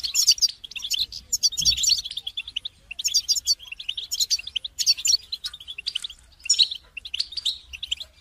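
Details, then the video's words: Goldfinches singing together, a group song to help goldfinches sing during moult; rich bursts of twittering and buzzy trills from several birds, with a brief dull thump near the start. "بتبتة جماعية تساعد الحسون على التغريد والخروج من مرحلة غيار الريش"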